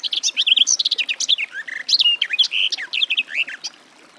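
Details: A garden warbler pours out a rich, rapid warble of mellow sliding notes and short chirps, loud and continuous, fading at the close.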